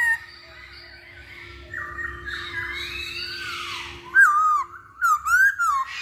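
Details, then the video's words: Masked laughingthrush lure song to provoke singing in other birds: a long, wavering, rising and falling whistle, then several sharp swooping notes, some paired, with crisp harsh overtones near the end. "Pancingan Poksay Hongkong"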